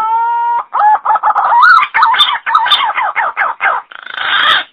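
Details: Green pigeon calls used as a lure to attract birds: a steady buzzy tone opens, then a busy run of wavering, fluty whistled notes, rising and falling and overlapping, ending in a harsher rushing burst.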